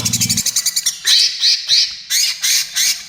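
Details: Greater green leafbird giving loud harsh rasping bursts, roughly one each half second, after a short stuttering trill, in 'trotol gacor' material for luring and therapy of other birds; a brief low buzz opens.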